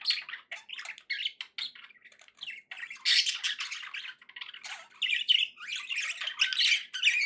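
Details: Pet budgerigars warbling nonstop, many scratchy squawks, buzzes and chirps layered together, growing louder in the second half.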